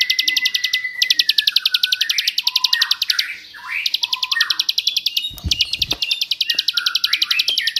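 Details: Bar-winged prinia singing rapid bursts of high, clipped notes for training magpie robins and other cage songbirds. The bursts break off and restart several times, over lower, rising and falling whistled phrases and one short thump.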